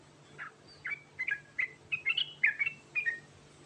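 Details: Trucukan garuda (sooty-headed bulbul) in rolling ngerol song, heard more distantly against a hissy background: a series of short, slurred whistled notes in a quick, uneven rhythm.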